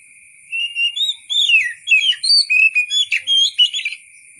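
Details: Natural wild-style white-rumped shama singing, recorded for tutoring cage songbirds: long varied run of sweet whistles, downslurs and quick chattering notes, delivered almost without pause over a faint high hum.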